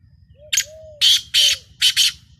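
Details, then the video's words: Black francolin, captive, giving harsh, broadband squawking bursts grouped in pairs, mixed with a few faint low whistled arcs and a steady low hum behind. "Kala Teetar ki Awaz"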